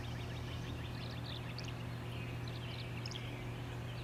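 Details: Tree swallow giving quick, high twittering chirps in scattered bursts, partly masked by a loud, steady low hum.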